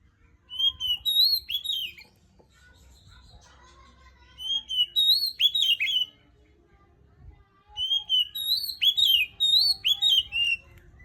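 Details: Oriental magpie-robin, a kept songbird, singing in the morning: three clear bursts of rich whistled phrases with rising and falling slurred notes, each phrase about one and a half seconds long, separated by short pauses, with faint lower chirps between phrases.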